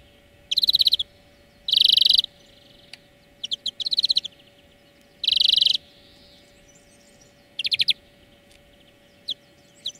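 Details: Song-lesson recording of a European greenfinch for training birds. Dense buzzy trilled bursts repeat about every one to two seconds, with short chirps between them and a soft continuous hum underneath.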